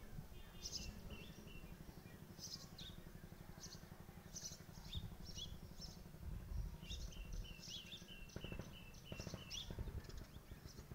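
A house sparrow chick gives short, high chirps in loose bursts, over a steady low rumble of engine noise.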